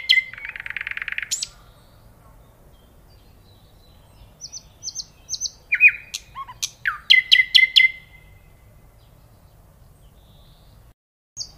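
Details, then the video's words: Nightingale song: a loud rapid trill opens, followed after a pause by short high notes, then sharp clicking and whistled phrases rising and falling, ending with a brief note after silence. "صوت العندليب"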